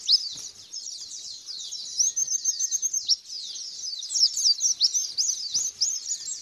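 White-eye giving a fast, unbroken, high-pitched twittering song of thin rising and falling notes, with no other clear sounds.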